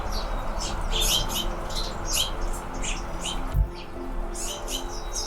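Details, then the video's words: Red-throated Anna's hummingbirds in California during fall; sharp, very high chirps repeat about twice per second in a loose series, with a soft thump and a continuous low droning background underneath. "Hypnotic Chirping Sounds Of Fall hummingbirds"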